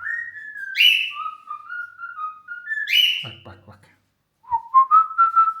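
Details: Pet cockatiel indoors giving clear whistled notes that step up and down around a steady pitch, broken by sharp rising, buzzy calls; a short pause, then a run of rising whistled notes repeated quickly.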